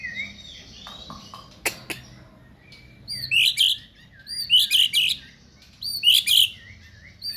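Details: Male white-rumped shama singing its rich 'isian' song fill: a few sharp clicks, then three loud phrases of buzzy notes and slurred whistles, roughly every second and a half, over faint low background hum.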